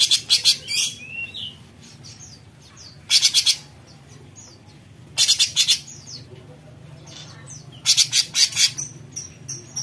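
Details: A cucak cungkok bulbul sings in besetan style. Four bursts of fast, grating pulses are broken up by brief high whistles and chirps.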